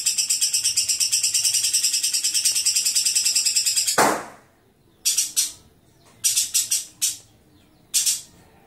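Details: Lovebird giving a long chatter called ngekek; fast, harsh, rattling notes repeated about three times a second for four seconds, followed by a sharp crack and short broken bursts of the same chatter.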